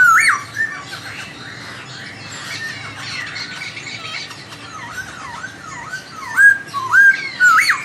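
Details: Laughingthrush giving melodious song that makes another answer: soft background chatter, then a run of wavering swooped whistles and loud rising whistled notes at the end.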